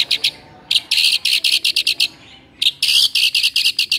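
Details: White-rumped shama song played to rouse a listless shama: harsh, buzzy, chattering notes in quick bursts, with a brief pause before another rapid scratchy run.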